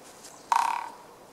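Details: Close recording, 8 March 2014, of a Japanese pygmy woodpecker drumming loudly at a fairly slow pace: a burst of quick, evenly spaced taps lasting under half a second, then quiet.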